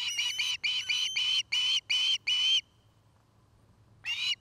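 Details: Whistled chirping of an osprey at a Montana nest in Charlo, filmed by nest camera: six rapid, shrill, slightly rising notes in steady succession, a pause, then another call begins.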